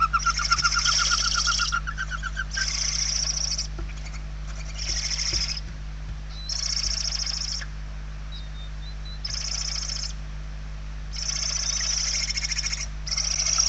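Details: Hungry barn owl chicks inside a nest box in Spain, recorded 28 November 2023, one chick very weak; harsh, broad hissing bursts lasting one to two seconds, repeated after short pauses, with faint thin whistles and a steady low hum.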